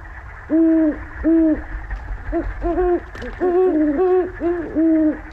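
Great Horned Owl giving deep, soft hoots in a stuttering series, about eight notes over five seconds, with a second overlapping owl joining midway.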